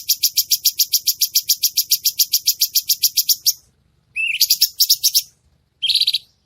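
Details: Red-whiskered bulbul recording used to train cage birds: a fast, even run of piercing chips, roughly three and a half per second, then two short buzzy bursts after a gap.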